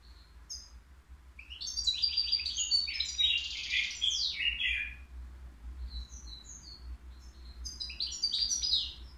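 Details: European goldfinch, a three-year-old bird, caged and offered at a bird market, singing a run of bright, twittering, tinkling phrases with buzzy trills, pausing briefly before another sparkling burst; steady low hum underneath.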